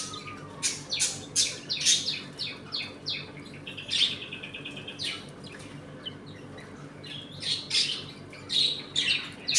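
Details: Pet budgerigars in a home colony eating, playing and fighting: repeated loud chirps and chattering bursts roughly every half second, including a short buzzy trilled run, several birds calling in an indoor room.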